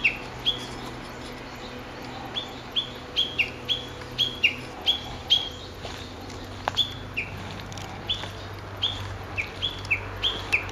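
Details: Japanese bush warbler calling in the woods of an ecology park in Japan: crisp, short chip-like notes spaced about half a second apart, with brief pauses between bursts, over a quiet hum and a soft low drone.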